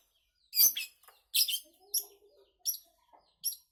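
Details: Long-tailed shrike calling with harsh, high scratchy bursts, about five in under four seconds, over faint low twittering notes from another bird.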